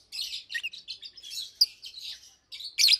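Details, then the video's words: Two adult Fischer's lovebirds, one pastel green with orange face and one blue with white head, nearly two years old and kept caged, chirping by day: dense run of quick high chirps and buzzy notes, ending in a loud burst. "Lovebirds Chirping, Lovebirds Singing - Two Agapornis Fischeri"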